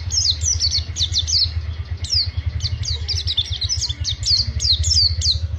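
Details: Oriental white-eye (pacitan) giving long ngriwik song: quick high downward-slurred whistles in rapid clusters, repeated throughout, with a pulsing motor rumble underneath.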